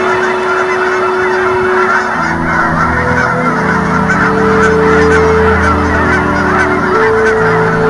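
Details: A flock of migrating Canada geese in winter in Colorado honks steadily. The loud, nasal, overlapping calls come several each second, with no other clear sounds.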